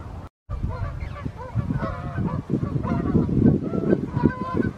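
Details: Canada geese flying in the evening, recorded during summer or fall 2020, give a chorus of nasal, overlapping honks, several birds calling at once in quick, uneven succession over a low rumbling background.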